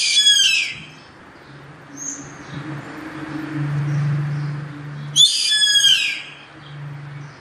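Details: Two harsh rasping screams from a yellow-headed caracara, about five seconds apart, each short, buzzy and sliding down in pitch, over a steady low droning hum in the background.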